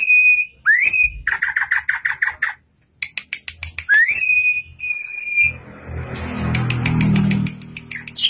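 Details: Drongo in prolific song, tame and full of learned fill-ins: clear whistled notes, upslurred swoops and quick chattering runs, later over a low rumbling noise with faint ticking.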